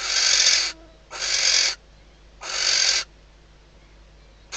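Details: Female barn owl inside a nest box at Riet Vell Nature Reserve, Ebro Delta, calling at night to the male on the outside perch days before the first chick hatches. Three loud, harsh, hissing screeches, each about half a second long, spaced roughly a second apart.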